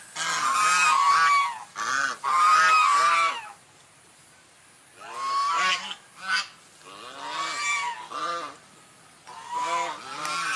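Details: Swan giving loud nasal honks in two long bursts, a pause, then a series of shorter honks with rich, arched harmonics, each note lasting about half a second.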